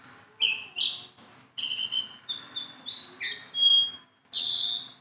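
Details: Tame, hand-friendly Sunda bulbul singing steadily. Separate high whistled phrases, each slurring downward or breaking into two tones, come in quick succession, with one long, pure note near the end.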